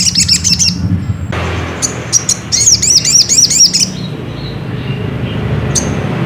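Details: Ruby-cheeked sunbird singing to provoke another bird into song: brisk bursts of high, thin, bouncing chirps in short phrases, separated by brief gaps, over a soft low background hum.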